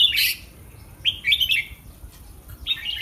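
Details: Contest-trained red-whiskered bulbul in a cage: a loud harsh burst, then two short warbled phrases of liquid rising and falling notes.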